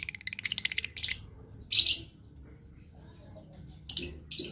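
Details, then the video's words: Chatty blue lovebird gives a fast, buzzy string of rattling high notes, then loud shrill squeaky bursts and short sharp chips spaced by pauses, over a faint low hum. "LOVE BIRD GACOR"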